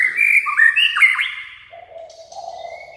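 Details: White-rumped shama: loud, fluid whistled phrase of slurred notes swooping up and down, followed by softer low mellow notes and a faint thin high whistle.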